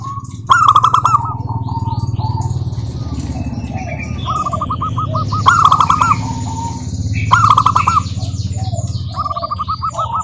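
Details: Zebra doves of local stock, recorded to coax silent doves into song: bursts of quick rolled cooing notes repeat every few seconds, with softer overlapping coos from other doves between them and a constant low rumble.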